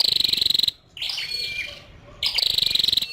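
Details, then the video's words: High rapid ticking series from a female scarlet-backed flowerpecker, broken by a short pause with faint thin twittering, then the ticking run resumes. "Tiếng chim sâu đầu đỏ mái"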